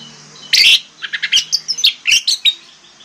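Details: Orange-headed thrush lure song meant to trigger silent birds: a loud harsh burst followed by a quick series of about ten short, bright chirped notes over three seconds.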